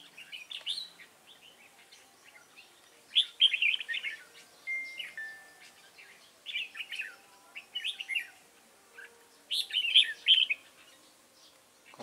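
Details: Red-whiskered bulbul at a lure-bird trap, 29 June 2018. Repeated bouncy phrases of quick, sweet, tumbling whistles arrive every couple of seconds across the recording, with a few thin, sustained tones between them.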